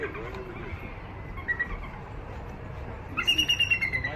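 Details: Female bald eagle held at Santa Barbara Zoo, a non-releasable bird with an injured left wing, hatched on Santa Catalina Island in 2010. After quiet faint notes, a fast run of shrill, stuttering piping notes erupts near the end.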